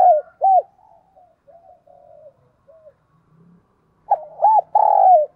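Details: Decoy spotted dove cooing in the urging and calling style meant to stimulate wild doves; soft fragmented coos and faint notes fade in the middle, then a loud phrase of two short coos and a long falling hoarse coo.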